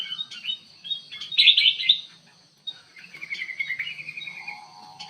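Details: Kutilang emas bulbul in an aviary: scattered whistled notes, a loud harsh chattering burst, then a long descending trilled series, with a low buzzy trill near the end.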